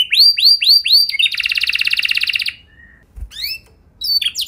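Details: Lure song of a canary to make other canaries sing: four arched whistled notes, a dense fast buzzy roll, a soft short whistle, a pause, then brief high twittering notes.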